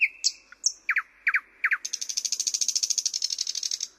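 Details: Song of a thrush nightingale: high sharp whistles and a held tone, then three paired low knocking notes leading into a long, rapid, rattling trill of even pulses.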